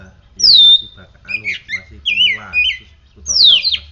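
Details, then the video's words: Oriental magpie-robin in full song after a care routine of morning sunning and morning dew, giving clear high whistled phrases that slide downward, with short chattering notes between them and a low background hum. "Kacer gacor hasil rawatan jemur pagi dan embun pagi ini buktinya"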